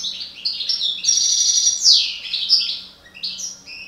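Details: Breeding parva goldfinch singing loudly: a dense run of tinkling, metallic twitters and a sliding buzzy note, then a few clipped chirps, all over a low constant hum.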